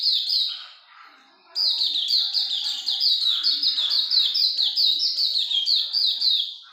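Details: Hume's white-eye delivering ngalas longgun song: loud, high twittering first, a short fade to softer notes, then a strong return into a long, steady chain of quick, bright chirps lasting to the end.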